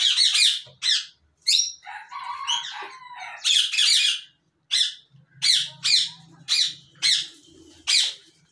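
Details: Colony of rose-ringed parakeets bred in Pakistan, 2022, calling in loud, rasping squawks spaced roughly every half second to second, with a softer warbled chatter in between and faint low hum beneath.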